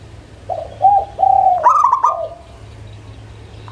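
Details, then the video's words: Local zebra dove singing: three coos of rising length, then a quick chattering run of bright notes and a trailing coo. A new phrase begins at the end. Low hum throughout. "SUARA Pancingan Burung Perkutut LOKAL"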